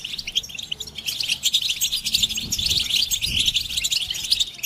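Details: Several European goldfinches twitter at once in a mating-call recording meant to make males sing; busy, overlapping high chirps and liquid notes run throughout, with a faint low rumble near the middle.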